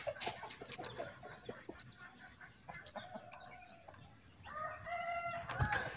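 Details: Female canary call meant to stir a male into breeding condition: quick, high chirps in pairs and triplets, repeated roughly every second, with steady low tones and a soft thump toward the end.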